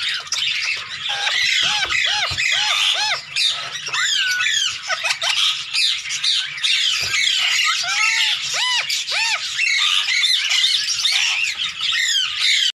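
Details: Playful hand-tame Indian green ringneck calling with harsh screeches and chatter, punctuated by repeated clear arched whistled notes, a run of four early on and several more later.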